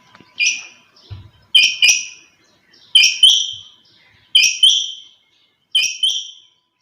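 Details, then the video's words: A female quail calls at dawn, a crisp two-note chirp repeated steadily about every 1.4 seconds, five pairs in all, each note dropping quickly and fading. "Chinga batair ki awaz"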